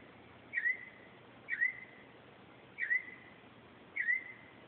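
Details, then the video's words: Northern mockingbird at 2:30 am at night repeating one whistled note that dips then levels off, given four times about once a second, with low background hiss. "Mockingbird at 2:30 am"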